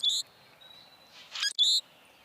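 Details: Common Grackle call, likened to a rusty gate, heard in Washington DC: two brief, high, squeaky notes about 1.5 seconds apart, with a thin whistle and a short rasping burst between them.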